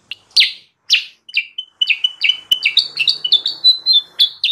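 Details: Sooty-headed bulbul song played as a lure for wild birds, a species noted as widespread on Sumatra and Kalimantan: bright, slurred whistled notes, first spaced, then a fast run of repeated downslurred phrases in a clean, quiet recording.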